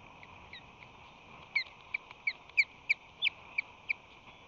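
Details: Osprey at its nest, March 25–26, 2020, while the male flies in with fish in his talons, sometimes rushing to defend the nest. A series of sharp, downslurred whistled chirps, about three per second, grows louder over a steady background hum.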